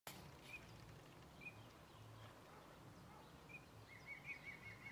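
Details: Eurasian teal (Anas crecca) calling at the Hraški mlaki ponds near Hraše on 17 March 2024: short, high piping whistles spaced a second or two apart, then a quick rapid series, over a steady background hiss.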